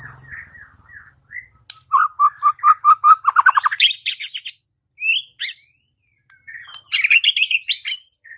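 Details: White-rumped shama song used to provoke singing and fighting, with a run of evenly repeated whistled notes that speed up into a trill, then scattered high chirps and warbled phrases.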